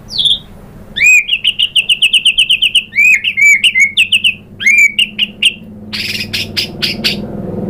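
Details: Lure song of the white-rumped shama meant to provoke singing: a descending whistle, then rapid repeated chipping notes in fast bursts, followed by several harsh buzzy high notes.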